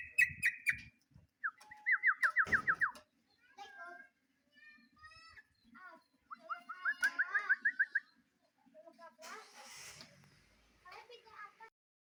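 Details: Sooty-headed bulbul in lively song, calling a rival: several bursts of rapid repeated slurred whistles separated by quieter scattered chirps, with a short noisy rattle and soft background sounds in between.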